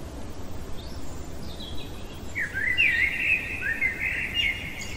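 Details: Night-singing common blackbird: faint high squeaks early on, then a fuller fluted warbling phrase with quick liquid notes and a thin high tail at the end, over steady low hiss.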